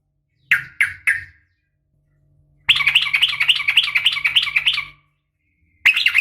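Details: Sooty-headed bulbul, a female calling a male with a fighting sound: three short sharp chirps, a pause, then a fast, loud, chattering run of rapid bubbling notes for about two seconds, and another chirp at the end.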